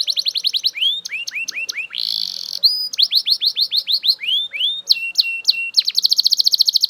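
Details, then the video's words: Belgian canary singing loudly: rapid trills of repeated downward-sweeping notes, changing to a new phrase every second or so, with a buzzy rolling section and fast high rattles, steady and continuous. "Super Loud Belgian Canary Singing‼️Your Canary Will Sing Unstoppably"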